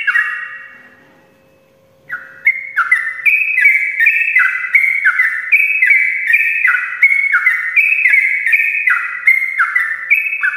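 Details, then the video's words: Sooty-headed bulbul in full morning song, a long rolling ropelan used to lure lazy birds into singing: after a brief hush, bubbly whistled notes tumble rapidly, alternating high and low slurs about three per second. "ropelan panjang trucukan gacor pagi hari untuk pancingan trucuk malas ropel"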